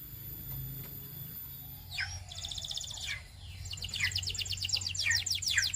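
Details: Belgian canary among canaries prompted to sing, with bursts of high rapid trills and buzzy repeated notes after a quiet start, background hiss throughout.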